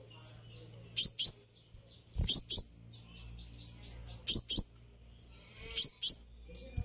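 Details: Sunbird call intended to make other sunbirds answer: sharp high chirps in pairs recurring every second or so, with soft twittering notes between and a faint low hum underneath.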